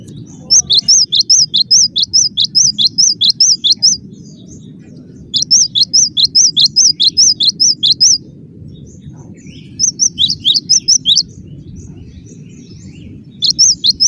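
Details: Cinereous tit singing tightly packed phrases: bright high two-note whistles repeated quickly, about ten to a burst, in four bursts separated by short pauses, with a continuous low hum underneath.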